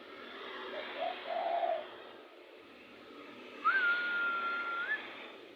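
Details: Spotted dove calling, said to be very fired up and suited to luring birds: a low, short rolling coo phrase of several notes, followed after a pause by a long, steady, higher whistle over a hissy background.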